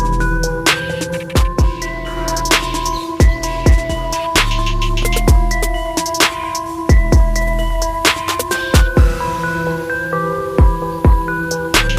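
Loud electronic music with heavy bass beats, drum hits and chiming tones, and no animal sound.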